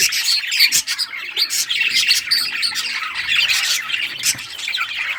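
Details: Several budgerigars in rare colours at play with toys, 18 June 2023; harsh squawks mixed into constant chattering chirps, with short sharp calls standing out.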